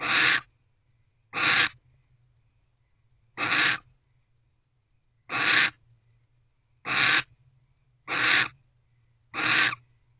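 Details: Barn owl waiting in its owl box for its mate to come back, late evening of 25 December 2023: seven short, noisy hissing screeches at uneven gaps of one to two seconds, with a steady low hum throughout.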